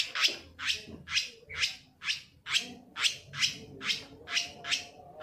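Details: Long-tailed shrike lure meant to trigger singing: harsh, scratchy squawk notes repeated steadily about twice per second, each a broad rasping burst.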